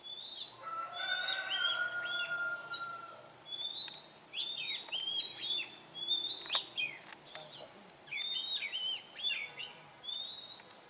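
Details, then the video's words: Wild Oriental magpie-robin singing in nature: clear whistled phrases of rising and falling slurs, bursts separated by short pauses, with a long steady lower whistle early on and light outdoor background noise. "Chic Chòe than hót ngoài thiên nhiên"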